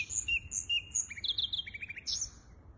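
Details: Hybrid finch singing, recorded 23 April 2023: high thin whistled notes alternating with short buzzy trills and quick descending chips, over a faint low background hum.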